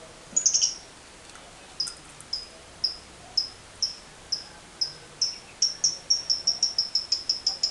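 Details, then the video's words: Lovebird, a caged bird used as a training lure, giving short high piercing chirps that repeat faster and faster until they run into a quick ticking series. "TERAPI AMPUH LOVEBIRD NGEKEK PANJANG"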